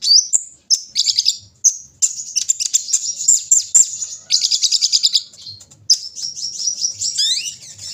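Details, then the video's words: Kolibri ninja sunbird, placed out in the morning dew, delivers a dense, high stream of rattling trills and sharp chirps, ending with a rising then falling slurred note. "pengembunan di pagi hari burung Kolibri ninja"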